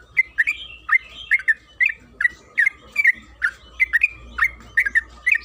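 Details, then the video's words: Yellow-vented bulbul (trucukan kebo) in a long, busy chattering song meant to prompt singing: crisp, slurred chirps repeated at a brisk, uneven pace over a soft low hum. "Suara burung TRUCUKAN KEBO Gacor ropel Panjang"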